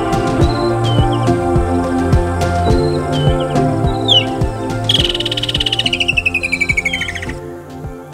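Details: A Woodland Kingfisher in the Pafuri region of Kruger National Park, South Africa, gives a few sharp high notes, then a long trill falling in pitch over about two seconds, over steady background music.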